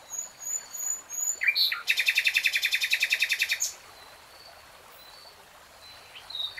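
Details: Common nightingale singing in a wild setting: a few thin high whistles, then a loud rapid run of identical pulsed notes for nearly two seconds that stops abruptly, followed by faint distant chirps.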